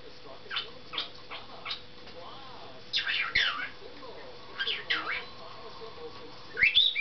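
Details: A pet male cockatiel gives scratchy, speech-like chatter, saying "What are you doing?", mixed with whistled notes, including a mimicked wolf whistle.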